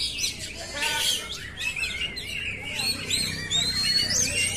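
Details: Oriental magpie-robin singing in a training simulation for caged birds; rich, bright whistles and fast trills, with long clear rising notes toward the end.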